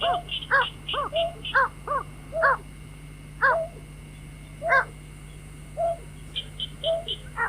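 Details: White-breasted waterhen calls played as a lure for trapping birds at night: nasal, harmonic notes repeated roughly once a second, some rising and falling, with quick higher piping notes in short runs and a steady low electrical hum.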